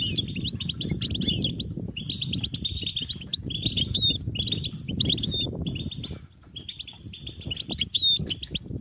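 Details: European goldfinch chicks begging their parents for food with high-pitched, insistent calls: dense, rapid twittering and tinkling chirps packed close together, over a steady low rumble of background noise.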